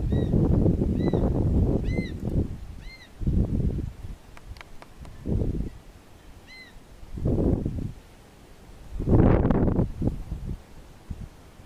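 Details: Juvenile black-chested buzzard-eagle near a long-used nest rock in the Fernandes area of Aratuba, Ceará. It gives thin, arched, squealing calls, first a quick series about a second apart, then one more later, over gusty wind and rustling.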